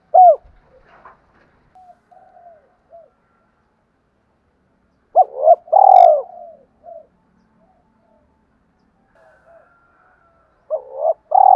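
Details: Call of a spotted dove meant to draw in wild doves: sparse soft notes, then one loud phrase of a short note and a long burred coo mid-way, with another short double note at the end.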